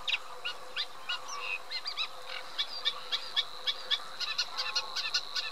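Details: A Eurasian reed warbler churrs and chatters in repeated short notes, some grating and some slurred, against a constant thin high-pitched whine in the background.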